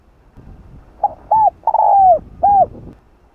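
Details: Spotted dove (cu gáy, cu đất) cooing to lure wild doves: a short note, a rounded coo, a long drawn-out falling coo, then a final arched coo, all clear and mid-pitched.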